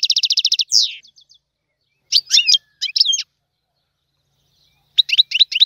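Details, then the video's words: Goldfinch, a trained singer, delivering Tiwawati-style song: a fast run of buzzy repeated notes, a downward sweep, then after pauses short bursts of twittering, tinkling phrases with metallic trills; no other sounds. "تغريد الحسون طيواواطي"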